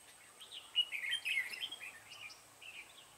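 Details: Caged decoy red-whiskered bulbul singing at a bird trap, 7 January 2017, to draw in wild bulbuls: a rapid, chattering run of warbled notes that fades into softer scattered chirps.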